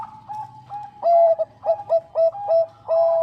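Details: Clear, active song of a Bangkok zebra dove, a female calling the male: a soft level coo, then five loud bubbling coo notes at regular half-second spacing ending on a held tone, over a faint low drone.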